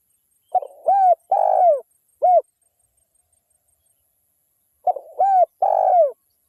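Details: Spotted dove, a local wild bird calling keenly, recorded as a lure to excite other spotted doves; mellow hooting phrases, each a stutter, two sustained coos and a short end note, repeated after a pause of about two and a half seconds.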